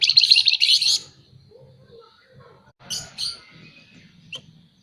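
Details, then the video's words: Pin-tailed parrotfinch, known locally as flamboyan, calling lively and incessantly: a dense burst of high, rapid chirps in the first second, then quiet with a few short sharp chirps later and faint low background noise. "Burung FLAMBOYAN GACOR Nyerecet Cerewet Merepet"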